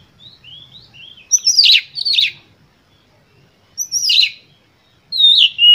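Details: Oriental magpie-robin singing a full-emotion lure song meant to provoke other birds: soft thin whistles lead into loud bursts of harsh, descending, buzzy notes around two and four seconds, with a rising whistle and another burst near the end.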